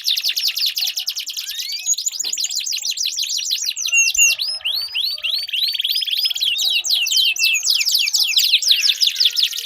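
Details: Canary song for prompting a non-singing canary, dense rapid chirp trills with looping high whistles, continuous and energetic throughout.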